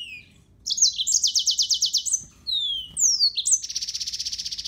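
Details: Song of a yellow-fronted canary: a rapid stuttering trill, a sequence of clear descending whistles, then a sustained fast buzzy trill to the end, all very high in pitch.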